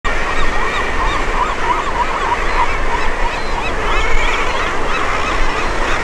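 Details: At a colony, a common murre parent and its nearly fledged chick preen each other amid a dense chorus of harsh, growling, wavering murre calls that overlap without pause, over a steady low roar of surf and wind.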